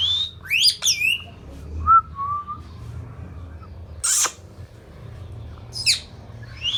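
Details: Indian ringneck parrot kept as a pet, mixing sharp harsh screeches with short level whistled notes, scattered bursts spaced a second or two apart over low background hum.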